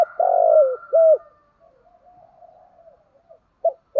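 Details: Kept-bird stimulation calls of male and female spotted doves: a long mellow coo tailing downward, then a short clipped coo, followed by quiet murmurs and two brief coos beginning again.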